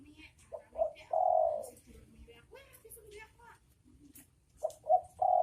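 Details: Spotted dove pair, male and female, cooing: a phrase of two short notes and a long coo, a few seconds of soft mixed background sounds, then another phrase beginning.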